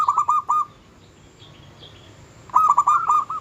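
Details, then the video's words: Local-strain zebra dove singing vigorously, a song said to rile rivals and stir their mating urge: two bursts of rapid, rolling mellow coos at the start and end, with a quiet gap between. "Suara kutut lokal gacor yang bikin emosi lawan ahlinya menaikkan birahi lawan"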